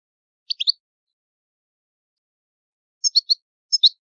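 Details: Italian European goldfinch, old-style song; sparse clusters of three quick bright chirps separated by a long silence, clean and without background sound.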